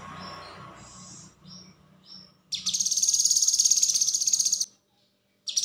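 A cucak kinoi gives a few thin high whistles, then a fast, buzzy, rattling trill lasting about two seconds, with soft background murmur.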